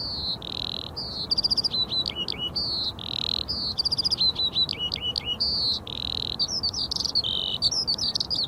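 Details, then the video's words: Eurasian Skylark singing over European farmland, high repeated phrases of steady whistles, quick stuttering trills and downward slurs, sung continuously over a steady hiss of background noise. "Chant de l'ALOUETTE DES CHAMPS"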